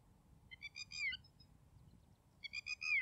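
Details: Red-wattled lapwing calling: two loud bursts of strident, harmonic-rich notes, each a quick run of sharp piercing notes ending in a downslurred squeal, separated by more than a second of quiet with faint low background rumble.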